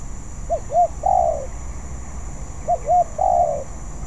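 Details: Spotted dove, not yet skilled and still practising its song: two phrases, each of two short arched coos followed by a longer, slurred descending coo, with a quiet low hum beneath.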